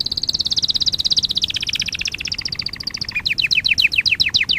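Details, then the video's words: Canary singing in a training recording: rapid pulsed trill that gradually drops in pitch, shifting into a series of sharp, repeated downward-slurred whistles. "Kanarya sesi kanarya eğitim/1 canary sing"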